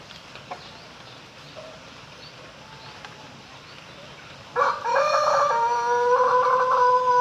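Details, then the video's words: Quiet background with a few faint sounds, then a Pelung rooster bursts into a loud crow: choppy opening syllables leading into a sustained, steady, ringing note still going at the end. "10 Suara Merdu Ayam Pelung Berkokok"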